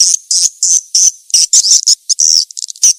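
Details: Call of the edible-nest swiftlet for luring swiftlets: loud, shrill, high chirps repeated about every third of a second, then a quicker twittering run and a few scattered chips.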